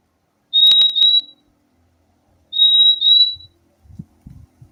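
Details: Purple-throated euphonia, called fim-fim, gives two doubled whistles, each a pair of level, piercing high notes like 'fee-fee', about two seconds apart; soft low thumps follow at the end.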